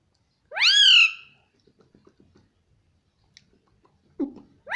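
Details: Pet Indian ringneck parrot indoors giving a loud, harmonic-rich rising squawk-like word, then quiet clicks and a second rising note at the end.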